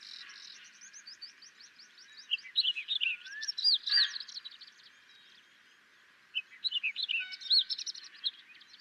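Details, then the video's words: Tawny lark, also called Sykes's lark, singing in Gujarat, India: a long run of quick, varied twittering and scratchy warbled notes. It opens softly, bursts louder around the middle, pauses briefly, then resumes with another lively burst. "Tawny Lark and its Song"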